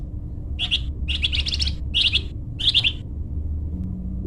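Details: Golden-bellied gerygone (flamboyan), sounds for luring or training birds: four quick bursts of scratchy, trilled high notes about every half second over a low background rumble.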